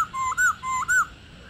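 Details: Female Black-throated laughingthrush, old and wild, with the ro call used to make captive males sing: two paired whistles, each a lower note swinging up into a higher, louder one.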